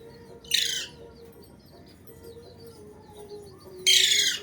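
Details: A talking pet Alexandrine parakeet, said to be saying "mithu mithu", gives two loud, harsh, raspy utterances about three seconds apart over a steady low electrical hum.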